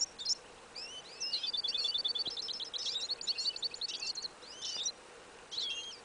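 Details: Hybrid of goldfinch and canary (yellow isabella) tested outdoors in a field in winter, 2015. A lively high twitter of quick chirps and buzzy trills runs over a steady background hiss.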